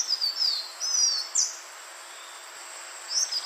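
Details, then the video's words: Green iora, in a recording meant for luring birds: a few thin, high descending whistles and one sharp upward flick, then a pause before two more faint notes, with a constant hiss. "SUARA BURUNG CIPOH JANTUNG UNTUK PIKAT DURASI PANJANG"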